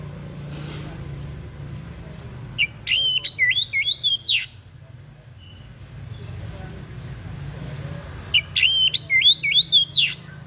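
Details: Unusual song of a white-breasted bird, used as a model for songbird training: two short bursts of twisting high whistles and clicks, separated by several seconds of quiet, over a low background rumble.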